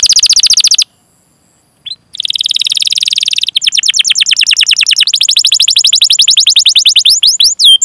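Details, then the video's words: Canary singing long rolled phrases, used to stimulate other canaries to sing: a rapid buzzy trill, a short pause, then a long continuous rolling series of fast repeated notes that shifts in pace and tone. "Masteran Suara Burung Kenari Gacor Panjang cuit cuit Ngerol untuk Pancingan Kenari!"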